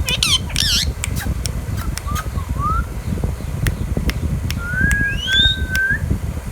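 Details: Green Indian ringneck parakeet, a baby pet bird: two quick harsh, layered squawks open, followed by clicks, short upslurred whistles and a long level whistle rising into a higher sweep, with constant low rumble behind.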